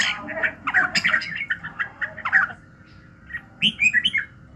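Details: Morning song of a red-whiskered bulbul, a dense, rapid tumble of chattering warbles for over two seconds, a short pause, then a few clear, rising-and-falling whistles.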